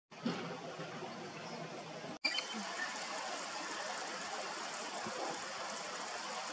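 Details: Steady trickling water that continues after a brief cut near two seconds.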